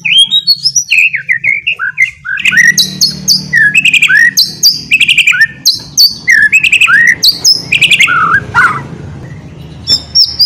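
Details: White-rumped shama song played as a lure to make a hesitant bird sing freely; a rich, fast run of varied whistled slurs, sharp high chips and repeated notes, nearly continuous, over a low background hum.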